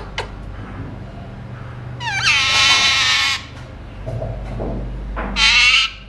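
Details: Pet Alexandrine parakeet: a loud, harsh, drawn-out screech lasting over a second, then softer murmured notes and a second shorter raspy squawk, over a low indoor hum.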